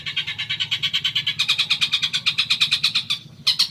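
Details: Provoking song of a long-tailed shrike (cendet), for getting a caged bird to answer: a rapid pulsed rattle of about six notes per second, briefly breaking off before a last burst, over a faint low hum.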